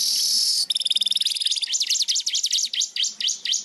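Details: Weaver in full song while flapping its wings, opening with a harsh sizzling buzz, breaking into a fast rattling trill, then a series of high looping up-and-down slurred notes.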